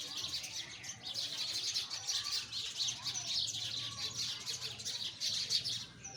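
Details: Continuous high chirping and twittering from sparrows, dense overlapping notes with no break, over a faint low hum.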